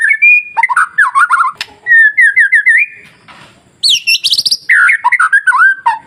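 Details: Masteran recording of a white-rumped shama, used to goad other shamas into song: an almost continuous stream of rich whistles, rapid slurred trills and sharp high notes, with one short quiet gap midway.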